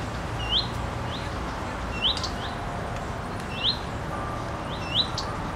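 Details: On a wind-tossed tree branch a female common redstart, tail quivering, utters 'fuit-tik-tik-tik': brief upward-sweeping whistles, some in close pairs, each followed by a sharp tick, over faint low hum.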